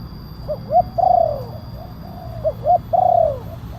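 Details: Spotted dove lure call of the kuk 1 style with a big voice, used to draw wild doves down and as a master song for training: two hooting phrases, each a short note, an arched coo and a long descending coo.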